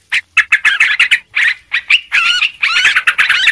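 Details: Yellow-vented bulbul, a noisy lure recording: bursts of bright, warbled chattering notes in quick clusters, brief pauses between runs, the later runs denser and more tangled.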